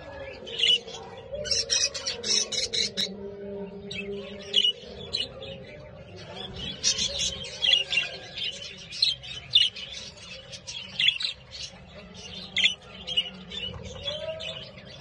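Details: Several healthy, active Hagoromo budgerigars of different colour mutations chatter together in bright, scratchy chirps and warbles, with a low steady hum behind.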